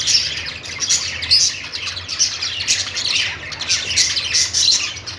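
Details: Chirping budgies in a happy mood: loud, dense high twittering that barely pauses, with squeaky accents near 1.4 and 4.5 seconds and faint low hum underneath.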